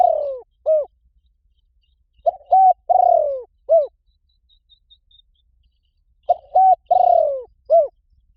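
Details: Spotted dove call used to lure wild doves: phrases of four coos, a short note, a flat note, a long buzzy descending coo and a final arched coo, repeated about every four seconds in clean, quiet surroundings.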